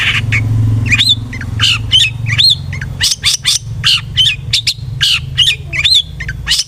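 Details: Long-tailed shrike, locally cendet, in lure song meant to make another bird sing aggressively: loud harsh scratchy notes alternating with bright upslurred whistles, a rapid uneven sequence over faint low rumble.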